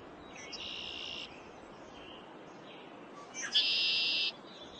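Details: Male Red-winged Blackbird in spring in the northeastern United States, giving a territorial display aimed at another male: two harsh, buzzy trills about three seconds apart, with a short rising note leading into the louder second, over soft hiss.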